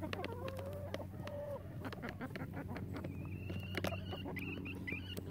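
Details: Relaxed chickens without rooster crows; a sustained wavering note early, then busy clucking and, later, a series of higher rising squeaky calls, amid pecking taps and a low continuous hum.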